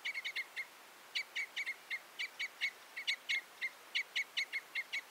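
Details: Red or Common Crossbill (Loxia curvirostra) giving a steady run of sharp, metallic chip notes, about four or five a second, at fairly even spacing. Some notes are grouped in quick pairs. There is little other sound.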